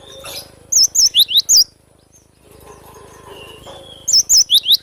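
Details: Glatik batu, the cinereous tit, in lively song: a fast run of about five clear, high, slurred whistles, a short quiet gap with soft background noise, then the whistled phrase starting again.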